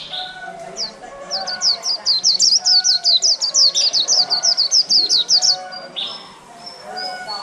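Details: White-eye caught wild and caged for just over a month, singing chẹo là líu: a long, rapid volley of some twenty-five high, sharp, downslurred notes lasting about four seconds, with faint lower chatter around it.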